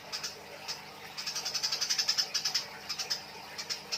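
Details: Eurasian tree sparrows fighting: rapid, harsh chirps in dense runs of about eight per second, loudest in the middle, with short pauses between bursts and steady background hiss.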